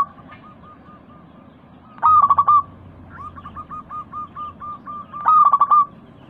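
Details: Lure recording of a local zebra dove to encourage caged doves to call. A loud, rippling coo burst, a run of about ten soft repeated coos, then a second loud burst.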